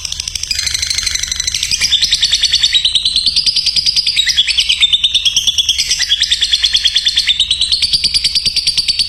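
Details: Lovebird song used to train other lovebirds: a long, unbroken rapid chatter of shrill notes with a wavering, rising and dipping pitch, growing steadily louder.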